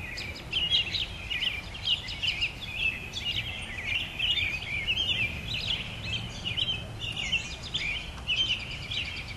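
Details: Many birds singing together at sunset in spring, a dense overlapping chorus of high chirps, trills and warbles with no single singer standing out, over a steady low rumble of background noise.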